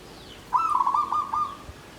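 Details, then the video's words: Zebra dove (perkutut) caged in bamboo, singing Klabang Kapipit Tumpang Sari style: a single clear trilled phrase of quick bubbling coos, klarr kete kuk kuk, lasting about one second in quiet surroundings. "SUARA PERKUTUT KLABANG KAPIPIT || TUMPANG SARI || KLARR KETE KUK KUK"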